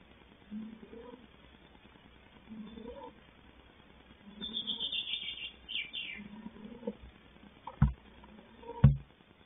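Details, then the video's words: Four tawny owl chicks, 34–36 days old and about to fledge, in a nest box at Tangermünde, Altmark, 5 May 2020, give muffled, wheezy rasping calls about every two seconds; a brief high bird twitter and two sharp knocks are also heard. "Vier Orgelpfeifen aus dem Waldkauz-Nistkasten"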